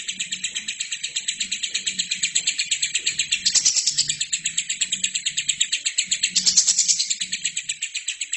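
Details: Lovebird singing non-stop for a training recording for other birds: an unbroken, very fast, high, scratchy chatter of about three pulses a second, peaking in two louder bursts, over a faint low hum.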